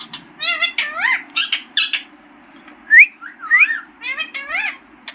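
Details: Green parrot talking, harmonic speech-like syllables with arching pitch, a few bright rising whistles in the middle, spaced by brief gaps, over a faint low hum.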